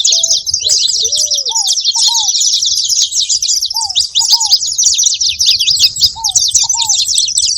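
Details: Many saffron finches chirping at once in a steady, high, twittering din; low, hooked whistled notes come in pairs every couple of seconds.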